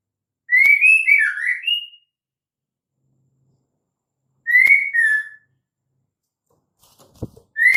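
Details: Female white-rumped shama giving the call that lures males into singing: three whistled phrases spaced a few seconds apart, the first long and tumbling, the second short and two-noted, plus a faint low knock.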